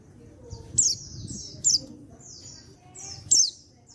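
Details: An untrained male white-eye from Pacitan (14/10/22) calls to set other white-eyes singing: three loud shrill chirps, each trailing into a thin falling trill, with soft background rumble.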